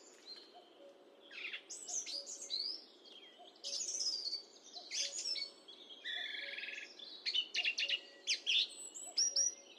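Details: Song thrush singing, high definition microphone; dense run of mixed whistles, buzzy rattles and chirps with few pauses, ending in quick repeated clipped notes, faint hum throughout.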